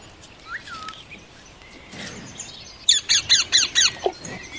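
An Indian ringneck parakeet gives a quick run of six harsh, shrill squawks in just over a second, after a few faint whistled notes.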